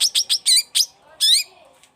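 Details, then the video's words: Long-tailed shrike singing: five quick, bright, downward-slurred notes followed by a longer, richer harmonic whistle. "CENDET GACOR"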